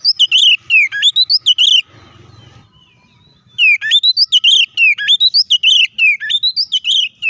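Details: Kacer, the white-rumped shama, singing an aggressive fighting song meant to provoke rival shamas: fast bursts of sharp whistled upslurs and downslurs, a brief noisy gap, then the rapid phrases resume strongly.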